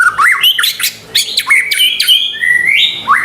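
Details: White-rumped shama lure recording: fast slurred whistles and sharp chattering notes, then a long level whistle rising at the end.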